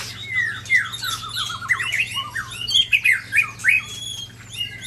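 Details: A Sabang white-rumped shama under attack by Ujong Pancu and Tangse shamas, Aceh, Indonesia. Descending whistled slurs, a rapid stuttering series of notes, then loud emphatic whistles roughly every half second.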